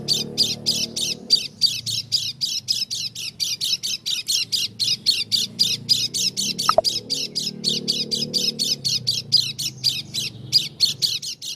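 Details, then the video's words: Oriental white-eye of the dakun type from Lombok giving an unusual call: a fast series of harsh, buzzy squawk notes, about three to four per second and slightly uneven, with a low background hum and one brief click. "Pleci dakun lombok suara aneh"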